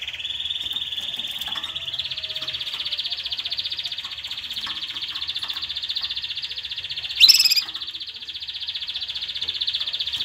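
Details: Canary song intended to stimulate mating and teach chicks: a continuous fast trill that steps up in pitch early on, rolling steadily for ten seconds, interrupted once by a short sharp click.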